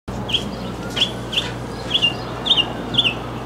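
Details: Mockingbird singing: short, sharp chirped notes high in pitch, given singly about every half second with slight variation between notes, over a steady low hum.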